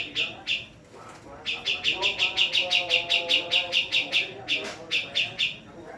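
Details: A Javan female black-throated laughingthrush gives a few scattered chips, then a long fast series of sharp, evenly repeated notes, with faint low murmuring in the background.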